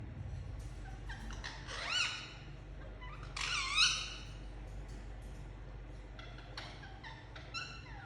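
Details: Indian ringneck parakeet chirping: a few sharp, harmonic chirps with quick rising and falling sweeps, louder bursts near two and four seconds, then fainter scattered chirps over a steady low hum.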